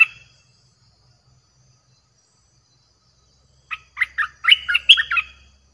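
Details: Streak-eared bulbul song used to attract wild birds, starting after a long quiet stretch with a rising series of sharp chirps that run into a fast bubbly phrase, over a faint low rumble.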